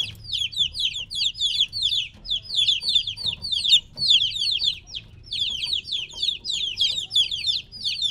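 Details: Noisy three-week-old domestic chicks apart from the hen utter rapid, piercing downward peeps, many voices overlapping continuously except for one brief lull, steady low hum underneath.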